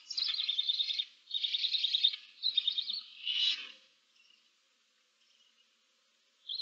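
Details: Barn owl chicks, seven in a nest box, filmed 15 March 2024: four harsh, noisy hisses in quick succession, then near silence with faint rustles before another hiss starts at the end.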